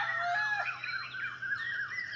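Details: Rooster crowing in the early morning at Maraiyur, Mayiladuthurai, among other birdsong: one long, hoarse, wavering cry drawn out for about two seconds, over a faint steady low hum. Chicken.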